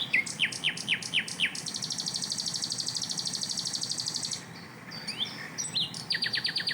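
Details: Asian brown flycatcher singing a rapid-burst tembakan master song: a run of quick downslurred high notes, then a long, dense, buzzy rattle lasting about 2.5 seconds, ending in sharp upslurs and fast repeated high chips.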